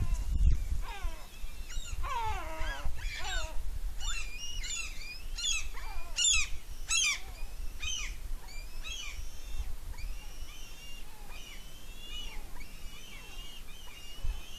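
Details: Young eagle at its nest on Smola, Norway, on 7.12.18, squeeing with excitement while eating a fish brought by its mother, who perches on a branch above. Dense bursts of shrill, descending whistled notes, then drawn-out high squeals.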